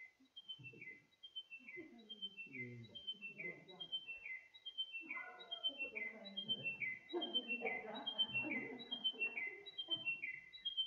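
Chiming Wedgebill repeating a clear, chiming phrase of falling whistled notes about once a second, with a man talking over it.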